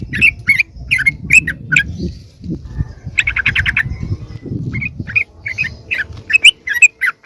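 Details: Lure call of the sooty-headed bulbul, meant to attract wild birds of its kind. Short chattering bursts and scattered sharp notes come over steady low rumbling background noise, with one dense burst near the middle.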